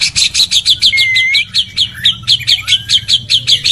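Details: Male white-rumped shama courting a female, a mating call: fast, evenly spaced high chirps about six per second, with a thin rising whistle near the middle and a lower sliding whistle later.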